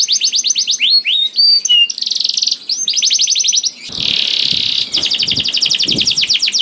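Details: Domestic canary in full song, used to encourage hesitant canaries to join in: fast repeated downswept notes and looping whistles, interrupted by buzzy rolls, then another quick rhythmic trill.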